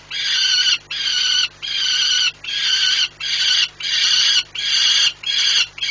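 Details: Repeated hoarse cries from a male peregrine falcon in Płock, Poland, recorded on a July 2017 morning while he observes flights. The long, rasping calls run almost back to back, with only brief pauses between them.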